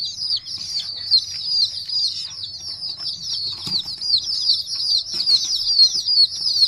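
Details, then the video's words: Domestic chicken chicks peeping: a continuous chorus of high, thin overlapping cheeps, steady throughout, with faint tapping sounds in the background. "murgi ke bache chote chote | Chicken chicks video | Chicken chicken free sound"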